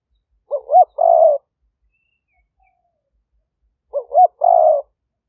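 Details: Spotted dove kept as a decoy to draw in wild doves, recorded live in Roi Et, Thailand, in 2021: two phrases about three seconds apart, each a jerky double coo rising into a sustained, grainy coo.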